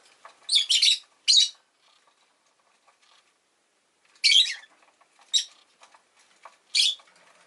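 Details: Rosy-faced lovebird chattering in shrill, high bursts: a rapid cluster of three chirps, a pause, then three more single squeaky chirps.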